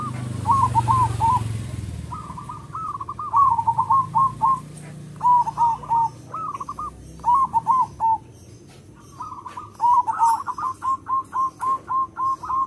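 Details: Local zebra dove with a big, clear voice, used as a lure for other zebra doves: repeated groups of fast rolling coos, ending in a long even series of rapid notes, with low rumble at first.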